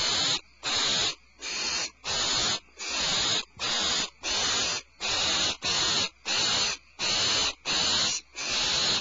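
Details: Barn owls at a nest at Starr Ranch on 22 February 2012, as the mother returns with a supplemental rat. Harsh, broadband hissing screeches come in a steady series of about fourteen bursts, each under a second long, separated by short gaps.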